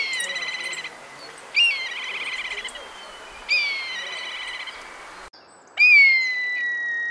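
Black Kite giving four high whinnying calls, each a thin sharp note running into a quavering trill of about a second, spaced roughly two seconds apart.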